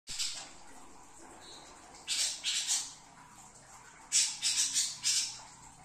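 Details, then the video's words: Greater green leafbird singing in trotol style: harsh, high-pitched buzzy bursts, a short one at the start, then a cluster of three rapid squawky notes around two seconds and another quick series of four near four seconds, with quiet gaps between. "cucak ijo trotol"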